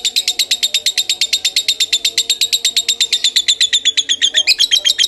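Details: Rapid, steady string of high, sharp lovebird chirps about seven per second, evenly spaced and loud, in the Kebon Kopi singing style, over a quiet low background hum.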